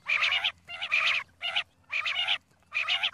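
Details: Five loud, grating bursts from a female common quail, each roughly half a second long and separated by short quiet gaps, with a soft low hum behind them.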